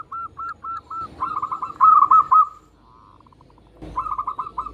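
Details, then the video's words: Local zebra dove singing to rouse quieter doves: a few soft spaced notes lead into a loud purring phrase of rapid coos, then a pause and another short rolling burst. "Perkutut Lokal Gacor Suara Paling Ampuh Untuk Pancingan Burung Perkutut Agar Bunyi"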